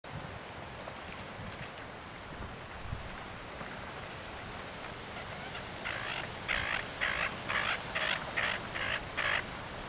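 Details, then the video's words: Coots fighting each other, getting aggressive in a splashing water dance; after a noisy stretch of water and rumble, a run of about eight loud, harsh, evenly spaced calls comes in the last four seconds. "COOT FIGHT"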